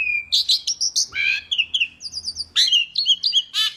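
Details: Asian pied starling in continuous, lively song meant for training other birds: a steady whistle, then quick chattering notes, falling slurs and bright varied chirps repeated in close succession.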